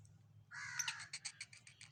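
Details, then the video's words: Black francolin from Sindh, Pakistan: a grating, drawn-out harsh note breaking into a rapid stutter of dry clicks, with a steady low hum underneath. "Kala Teeter sindh Pakistan"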